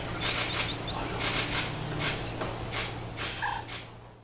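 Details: A water rail at an ornithological observatory in Catalonia on 11 November 2019 gives harsh, grunting squeals in uneven bursts, about eight in four seconds, over a steady low hum.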